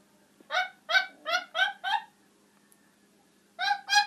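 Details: A pet talking macaw giving a run of harsh, nasal squawks, five in quick succession about every third of a second, a pause, then two more, in a quiet room.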